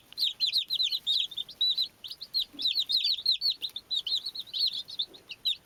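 Baby chicks peep continuously, many high, clear notes, mostly down-slurred, overlapping at a rapid pace from several birds at once.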